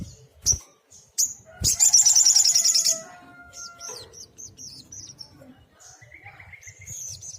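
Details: A sunbird known locally as sogok ontong, singing actively as a tutor recording: sharp chips lead into a rapid, shimmering high trill of about a second, then a string of thin descending notes.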